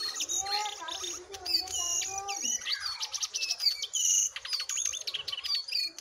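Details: Wild and caged jongkangan singing against each other: a busy, continuous medley of high whistles, rapid chirps and slurred rising and falling notes with no pause, over a faint low hum.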